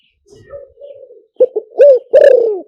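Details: Spotted dove call used to lure doves. A quiet, wavering hum leads into a stuttered pair of short notes, then two loud, round coos, the last one long and sliding downward.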